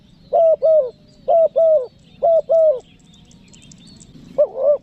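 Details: Spotted dove lure call for attracting wild doves, from Lombok: three double coos, short then longer, about a second apart, then a pause and one more coo, with faint high bird chirps in the background.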